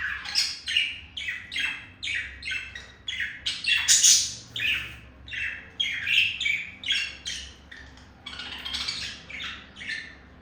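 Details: Courting male budgie serenading a female with a long run of quick, scratchy chirps and buzzy clicks, each note short and bright, repeated in an uneven stream for about ten seconds.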